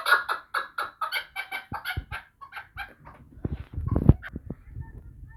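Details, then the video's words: A chukar partridge from Vanj opens with quick repeated clucking notes that slow and fade, then give way to thumps and low handling noise. "Кабки Ванҷ"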